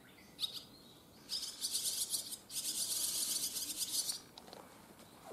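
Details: Barn swallow fledglings on their first day out of the nest, already flying far, twitter in high, rapid, scratchy bursts lasting a few seconds, several birds chattering over one another, with a faint background hiss.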